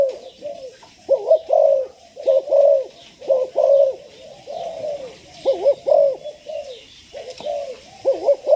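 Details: Spotted dove, six months old, a new decoy bird ready for training, gives low, hollow cooing phrases again and again, with rising-falling notes in close bunches, short pauses between groups, and faint high chirps of other birds behind.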